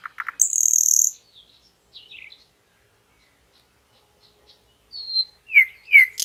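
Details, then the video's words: Common nightingale singing in a lush green forest beside a flowing river: a short rattled burst, then a high buzzy phrase, a long pause, and later a few clear whistles and sharp downslurred notes. "Nightingale Bird - REALTIME Nightingale Singing"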